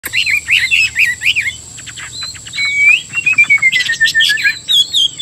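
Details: Caged Chinese hwamei kept by a Vietnamese bird trader sings a varied phrase: rapid looping whistled notes near the upper middle range, then a long slurred whistle gliding gently downward, with a steady high electronic whine behind.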